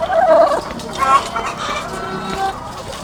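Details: Farm flock of thousands of laying hens: one loud drawn call at the start, a second sharp call about a second later, then a softer wash of distant clucking.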